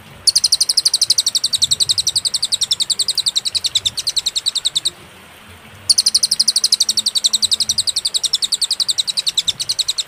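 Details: Cililin song, clear master recording with pauses for tutoring songbirds: two long runs of fast, regular high chips, each several seconds long, split by a one-second silence.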